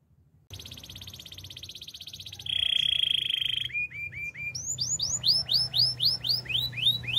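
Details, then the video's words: Canary singing a relaxing melody, opening with a long buzzy pulsed trill, then a loud steady rolling note, a few downslurred chips, and rising-falling whistled notes repeated steadily to the end over a soft hum. "Super relaxing canary birds sounds"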